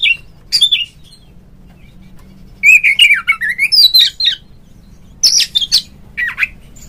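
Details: Oriental magpie-robin singing as a rival lure for kept birds: short separated bursts of clear whistles, one rising-and-falling warbled phrase in the middle, and quiet between phrases.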